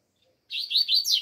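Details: Double-collared seedeater from Brazil in cold weather, a quick run of high, slurred twittering notes lasting under a second, loud and clear against a quiet background.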